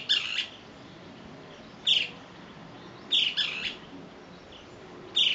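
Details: A male great kiskadee, apparently calling to his companions, gives loud, harsh, scratchy call notes in short bursts every second or two, some doubled, against a quiet background.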